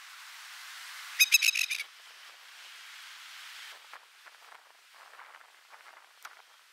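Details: A masked lapwing (spur-winged plover) defending its nest of four eggs in a park beside a football ground at Upper Mt Gravatt, disturbed from about 20 m away, gives a short, harsh burst of about five rapid, strident alarm notes, then faint ticks and rustling.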